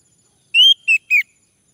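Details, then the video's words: Three clear whistles from a male orange-headed thrush, played to coax another male into song: a longer rising note, then two shorter notes that fall away, all in quiet surroundings. "Anis merah jantan, agar bunyi"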